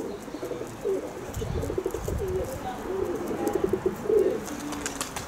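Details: Several kept pigeons cooing in a dense, continuous low burble, the phrases rising and falling, loudest near four seconds.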